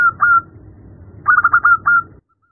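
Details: Female zebra dove calling the male: a short burst of soft, fluttering whistled coos, a pause, then a second quick run of five or six coos ending in a drawn-out note.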